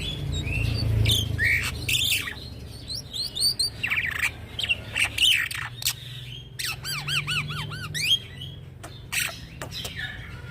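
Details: Young black-winged myna singing continuously, used as a training and lure bird for other mynas; a varied mix of harsh squawks, clicks and rapid repeated arched whistled notes, loud and busy, over a low steady hum.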